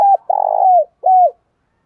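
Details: Decoy spotted dove in the morning: the end of a note, then a long, throaty, rolling coo easing downward, and one clear, bowed final coo. Otherwise quiet.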